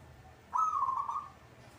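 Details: Local zebra dove singing actively: one short purring coo phrase, a fast rolling trill held at a low, even pitch for under a second, over a quiet background.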